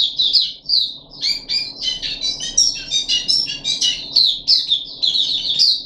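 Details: Puff-backed bulbul kept in a cage, third day of deworming, 14 July 2021, delivers quick sweet chirps and whistled slurs, with a short gap near the first second before a dense run of sharp, ringing notes.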